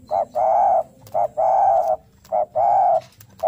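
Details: Spotted dove singing its fighting call in search of a rival: three rapid pairs of a clipped hoot and a drawn-out buzzy coo, about once a second, with scattered soft clicks.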